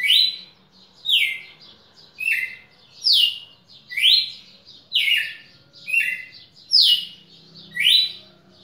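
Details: Red-cowled cardinal, Pernambuco, 10 December 2017, repeating bright downward-sliding whistles about once a second, some phrases dropping to a lower second note, over a soft low background hum.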